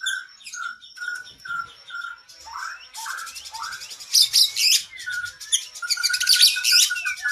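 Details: Oriental magpie-robin (kacer) with long isian, used as training song for cage birds: a string of short clear whistles about twice a second, a fast high rattle, then loud harsh bursts mixed with lower whistled notes.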